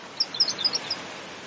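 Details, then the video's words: A pink robin sings a quick run of thin, very high notes, about six brief chips in under a second, over a steady background hiss. "cute pink Robin bird sing a lovely song"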